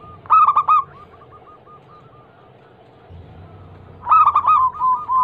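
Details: Local female zebra dove calling a male to prompt other doves to answer: a loud quick burst of clipped coos with a trailing soft series, a pause, then another loud run.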